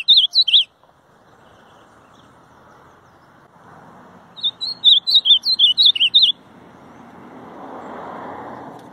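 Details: Ultramarine grosbeak heard at the start ending a phrase, then singing a full run of about ten quick, looping whistled notes, with a steady low background rumble like a car passing.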